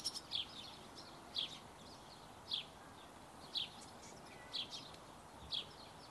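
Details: Barn swallows at a feeding, with short high chirps about once a second over a steady soft background hiss.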